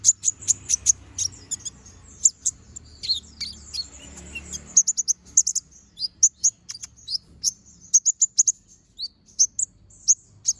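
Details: Brown-throated sunbird singing energetically in chattering style with sharp shots, as master material for other birds. A long, fast, unbroken series of high chips and thin twittering notes is heard, with some background noise early on.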